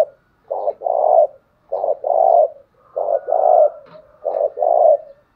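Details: Spotted dove challenge coo recorded for training newly caught birds. Four regular phrases, each a short low note followed by a longer hoarse drawn-out coo, about one second apart. A faint, level hum sounds throughout.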